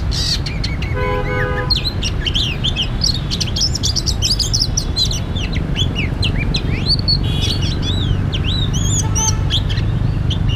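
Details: Oriental magpie-robin recorded at a bird-trapping site, giving a busy run of clear whistles, sharp upslurred and downslurred notes and short trills, with a brief harmonic nasal note early on, over constant low-pitched background noise.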